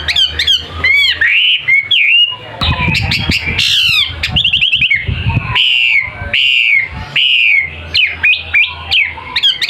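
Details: Wambi kept in a cage and offered for sale, called gacor for its constant singing, delivering loud varied whistles, quick rising chirps and a burst of rapid trilled notes, interrupted by low rumbling handling noise.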